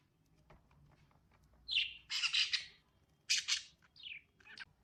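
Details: Lovebirds chirping: after a quiet start, loud harsh bursts of high chirps and squawks arrive in clusters, followed by a short falling whistle and a final sharp chirp.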